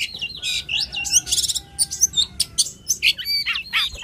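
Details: Energetic song of a long-tailed shrike (cendet, toed): varied scratchy phrases, a buzzy rattle, and several downslurred whistled notes near the end.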